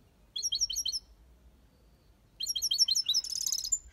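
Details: Aviary European goldfinch singing 'copia Malaga' style: two bursts of rapid, high liquid twitters separated by a pause, the second ending in a dense buzzy trill.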